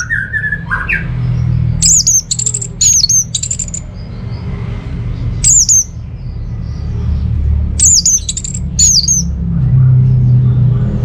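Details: Orange-headed thrush, kept at home in northern Bali, Singaraja, as a lure to prompt silent birds into song: short loud whistled phrases with sharp downward-swooping high notes, in bursts a few seconds apart over a low steady hum.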